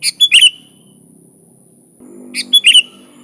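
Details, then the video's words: Sooty-headed bulbul in lively song for luring: two quick phrases of four bright, bubbling notes two seconds apart, with a low buzzing hum rising in the background and a constant thin whine. "Suara Burung Kutilang Gacor ASLI Tanpa isian, Ampuh untuk Pikat bikin kutilang Ribut gacor"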